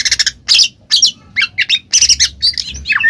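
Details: Oriental magpie-robin belting out ngeplong song to coax a silent bird to respond: harsh, buzzy squawks in quick separate bursts, ending in a falling whistled note.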